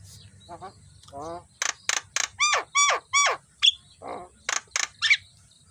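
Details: Javan myna singing in the morning, a recording used for training other songbirds: rasping ladder-like notes, then a run of loud stacked harsh notes, a few sharp whistled upslurs and a gravelly chatter, with low background hum.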